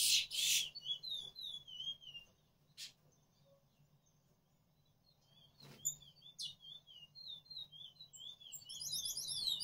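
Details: Picolet, a male courting a female, sings a high warbling song of quick rising and falling whistled notes, with a few sharp clicks, a pause midway and a buzzy high trill at the end.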